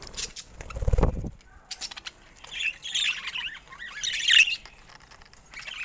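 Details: Pet budgerigars chirp and then break into a warbling, twittering run of high notes, with a brief low rumble early on.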